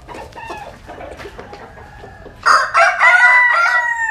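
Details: Quiet clucking and scratching, then a rooster from the Mekong Delta of Vietnam bursts into a loud, rough, wavering crow that fills the last second and a half.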